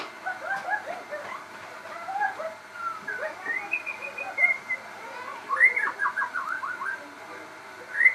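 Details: Crossbred shama singing steadily: varied mid-pitched whistled phrases, some rippling, with a run of rapid descending slurred notes and bright high whistles.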